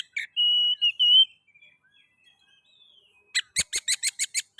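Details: Oriental magpie-robin (kacer) song played as a lure to stimulate other magpie-robins to sing: a long steady whistled note, then after a pause a rapid series of about eight harsh buzzy notes.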